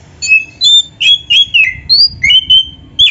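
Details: Training master of a kacer, the Oriental magpie-robin, singing busily: about nine bright whistled phrases in three seconds, some flat and level, others dropping or rising, separated by short pauses over a low background murmur.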